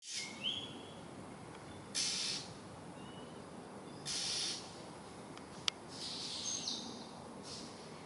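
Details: Oriental magpie-robin screaming at night: harsh, hissing screeches about every two seconds, with a few short thin whistles between, over steady background hiss.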